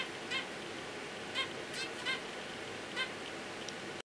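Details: Zebra finch chicks, ten days old and looking out of the nest, give four short, raspy, harmonic calls spaced roughly a second apart over a steady hiss.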